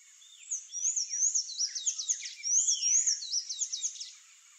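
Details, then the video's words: Palm tanager song, also called sanhaço-verde or pipira-verde: a rapid string of high squeaky chirps, rising and falling slurs tumbling together for about four seconds, with faint hiss behind. "CANTO do SANHAÇO-DO-COQUEIRO (THRAUPIS PALMARUM), PALM TANAGER, SANHAÇO-VERDE, PIPIRA-VERDE."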